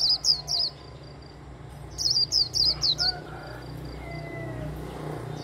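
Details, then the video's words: Japanese white-eye held in the hand, singing líu song to rouse others: bright high chirps in two quick clusters, the second a rapid run of five or six notes, then quiet background hiss. "Khuyên líu cầm tay. Kích him khuyên líu"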